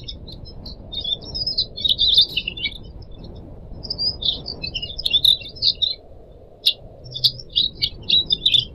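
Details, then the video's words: Indonesian pet Pied Triller singing as a tutor for young cage birds: scratchy, high twittering phrases, then separate sharp chirps spaced about half a second apart, over soft low rushing noise. "kicau burung decu kembang"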